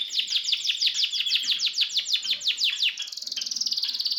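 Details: Harz canary singing alongside red and variegated canaries: a run of rapid downward-sweeping notes, about three per second, then a sustained high buzzy trill.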